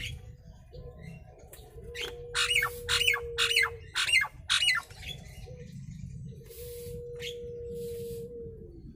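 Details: Nias hill myna, a hill myna played to draw replies from other mynas; a long low steady note, then five loud harsh calls in quick succession, and another long low tone.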